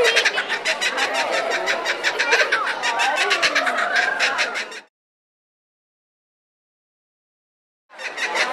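Kookaburra laughing in a raucous cackling chorus of rapid, harsh repeated notes for about five seconds, a pause, then the cackle starts again.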